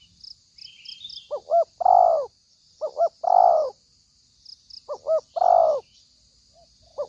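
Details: Trapping lure of a spotted dove, called very fierce: three repeated phrases of two brief clipped coos leading into one long, full, hollow coo, evenly spaced over a soft background hiss.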